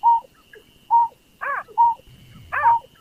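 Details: Barred buttonquail lure call for rice-field trapping: short, hollow, mid-pitched hoots about once a second, broken by rougher, harsher notes over a faint steady whine.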